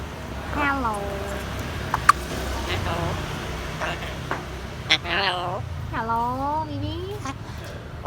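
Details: A male pet grey parrot, praised as a good boy, says "hello" several times to its owner in a clear, human-like voice, each word dipping then lifting in pitch, with a person's voice and faint room noise behind.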